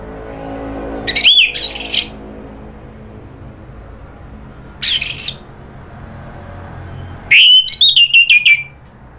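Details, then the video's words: Orange-headed thrush incited into agitated rattling then full song, as a lure and therapy sound: a whistled phrase with harsh chatter, a lone raspy burst, then a fast stuttering run of sharp notes and falling whistles. "bikin ANIS MERAH EMOSI NRATAK lanjut NGEPLONG"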